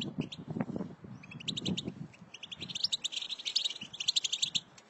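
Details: European goldfinch twittering fast, tinkling high notes in quick bursts that grow busier and more continuous toward the end, over low rumbling noise at the start; a chirping track meant to rouse a silent goldfinch into singing.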